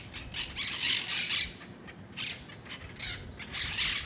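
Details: Wild monk parakeets give harsh, grating screeches in bursts, several overlapping squawks rising and falling over steady background noise outdoors.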